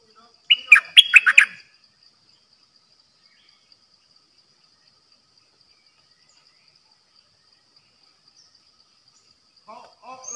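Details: Red-whiskered bulbul kept as a decoy, singing in dok taeng style: one phrase of quick, liquid whistled notes, then near silence, ending with softer, lower chattering notes.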